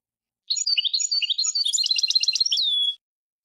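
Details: European goldfinch singing a khali al-alam style song: rapid liquid twitters and chirps build into a fast buzzy trill of repeated notes, closing with a long descending whistle; no other sounds.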